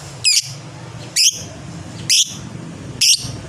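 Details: Fighter lovebird chattering: four loud, piercing, high squeaky notes, each brief and slightly downslurred, repeated about once a second over a constant low hum.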